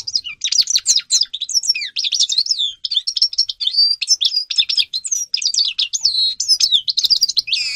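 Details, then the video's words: European goldfinch song used as a tutor for young goldfinches: a fast, unbroken twitter of bright tinkling notes, short trills and nasal buzzy phrases, high-pitched and lively throughout. "goldfinch singing to educate young people"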